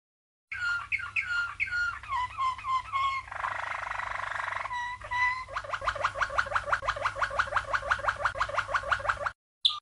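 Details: Malinois canary, also called Waterslager, a 1997 champion, giving a training song: falling liquid notes in sequence, a rough buzzy roll, then a long fast run of rhythmic pulsed notes.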